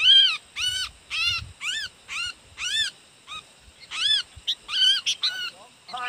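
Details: Fierce wild sooty-headed bulbul being lured by a young caged decoy bulbul: a run of loud, harmonic-rich arched calls repeated about every half second, followed by a burst of quicker, jumbled notes.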